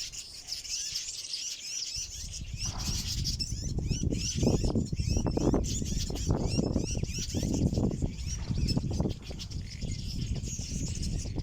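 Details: Village weavers in a large nesting colony in a fever tree on South Africa's eastern coast keep up a steady high, wheezy, sizzling chatter, many voices at once, over a heavy low rumble of wind and flapping wings.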